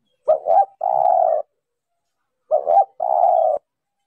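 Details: Female spotted dove calling to stimulate males, a decoy recording with noise removed: two cooing phrases, each a short wavering note then a longer steady hollow coo, with a pause of about a second between the phrases.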